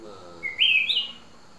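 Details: Unusual green-coloured red-whiskered bulbul of forest stock, a black-crested form: one short clear whistled phrase that rises and then warbles briefly, over a soft steady background hum.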